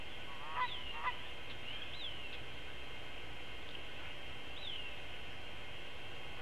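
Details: A Long-eared Owl at a nest feeding its chick a whole vole, recorded on a live cam on 13 April 2016, gives a few short, squeaky, nasal upslurred calls at irregular intervals over a steady high hiss.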